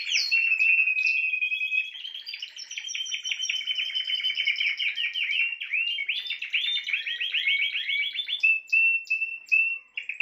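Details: Spanish timbrado canary song, loud from the start: a sustained steady tone, then long stretches of fast rattling, rolling trills, closing with short evenly repeated notes and a fading whistle.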